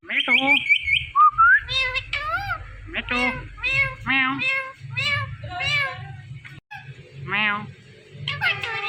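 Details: Indian ringneck parakeet talking on a Thursday night: a long flat screechy note, then a quick run of high, nasal, speech-like syllables rising and falling, with a low background hum.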